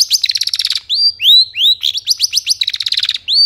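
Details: Energetic long-tailed shrike song used to draw lazy birds into answering: fast ticking trills alternate with clear rising slurred whistles, the pattern repeating twice within a few seconds.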